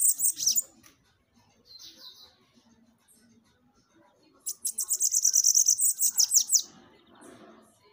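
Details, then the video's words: High-pitched, buzzy Bananaquit song used to excite caged birds: a short opening burst, a faint thin note, then a two-second run of rapid chattering notes that slide downward at the end, with soft background noise afterward. "CANTO para FOGUEIA SIBITE, deixe seu SIBITE FOGOSO!"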